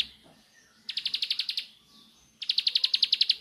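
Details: Two crisp, rapid volleys of high-pitched, evenly repeated chips from a Bar-winged prinia in nembak style, the second volley louder, with a quiet gap of faint murmur between.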